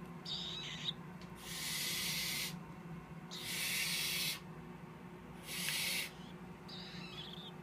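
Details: Three captive tropical screech owl chicks, hatched 6–7 March 2014, hiss in loud, breathy bursts about a second long, spaced by short pauses, with a faint murmured voice afterward.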